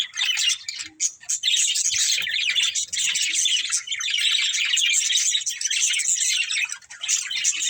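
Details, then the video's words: Budgerigar breeding pair chattering nonstop, a busy stream of high twittering and warbled chirps that barely pauses for nearly eight seconds. "Beautiful Budgies Chirping Sounds"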